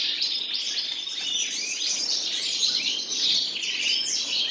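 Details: A pair of common nightingales sing busy, high warbling phrases with quick repeated clicks and chips, plus very high thin ticking notes; brief sharp accents mark the fast, unbroken delivery.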